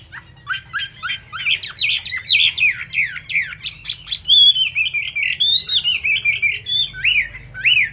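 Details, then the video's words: Chinese hwamei, a caged bird singing while its feathers are still wet, pours out a rapid, loud song of varied whistled notes slurred up and down, several per second, with a faint low hum beneath. "Họa Mi tuyệt vời với tốc độ mỏ"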